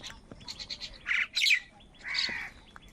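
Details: Crows calling around food, with several loud, harsh, nasal caws in quick succession and fainter squawks between them over a noisy background.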